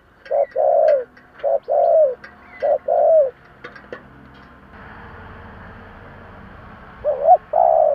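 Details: Decoy spotted dove cooing to attract other doves, 'giọng thổ' voice: three short-long coo pairs, then a pause filled with rustling background noise before the cooing resumes.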